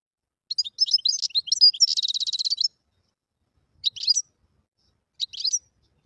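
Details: Wild European goldfinch singing: quick tinkling, twittering phrases of high notes, then a dense buzzy rattling trill lasting about a second, followed after a pause by two short twittered bursts. No other sounds.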